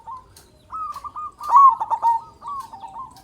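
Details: Local zebra dove with a loud voice, used as a lure to make other doves call, gives a soft rolling coo of fast, quavering notes near one pitch, brief phrases separated by short pauses.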